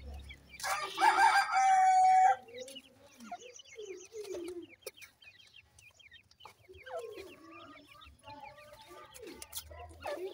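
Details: Young francolin chicks in Punjab, Pakistan: a loud, harsh, drawn-out call opens, then a long run of soft, high, falling peeps comes in quick, fairly steady succession.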